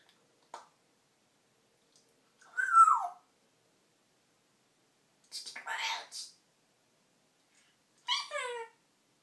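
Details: Pet female parrot talking indoors after wandering into a storage room, where she talks more than anywhere else; three short speech-like bursts with long silent gaps, the last a falling series of harmonic syllables.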